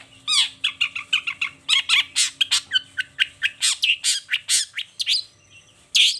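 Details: Long-tailed shrike singing at dawn hours: a steady, rhythmic series of loud, scratchy notes, several per second for about five seconds, then a brief lull and one more harsh burst.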